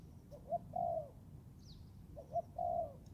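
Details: Forest training session of a young Thai-type spotted dove: two clear phrases, a quick short note then a long, smooth, slightly falling coo, with a faint high chirp from another bird.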